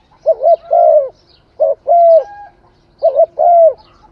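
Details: Spotted dove singing, named in Khmer as a Khmer dove: three low cooing phrases, each a short stuttering double note followed by a longer, steady, slightly falling coo, repeating about every one and a half seconds over faint low hum.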